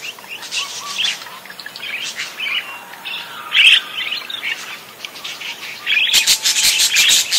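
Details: Actively singing parakeet twittering in a stream of squeaky warbles and ticks, with a louder chirp near the middle and a dense, rapid clicking chatter at the close.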